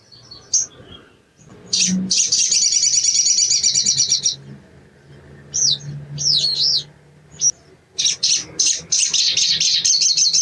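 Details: {'caption': 'Sogon (ruby-cheeked sunbird) delivering a long, loud, dense high buzzing trill, a few looping whistled notes, then another burst of rapid chattering song, with soft low hum behind.'}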